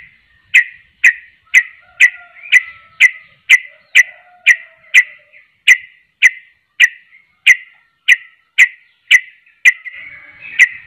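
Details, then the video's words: Trucuk, or yellow-vented bulbul, repeating a crisp, clicky whistled note about twice a second in a very regular series, with a faint drawn-out low whistle in the background. "trucuk anda pasti langsung nyaut gacor dengar trucuk ini"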